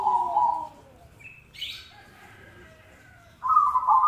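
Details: Zebra dove song for contests and everyday listening: a steady trilled coo, a brief high chirp and a short rustle in the quiet middle, then another loud vibrating coo phrase to close.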